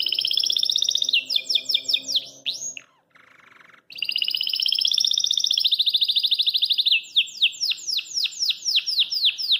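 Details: Caged Belgian canary singing cheerfully, with long loud rolled trills, bursts of fast sweeping chirps, a brief quieter buzzy break, then a sustained trill turning into descending chirped notes.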